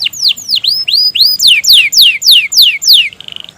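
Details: Canary in gacor song meant to stimulate hesitant canaries: a series of loud, clear whistles sweeping sharply downward, about four per second, finishing with a short buzzy trill; clean, quiet background.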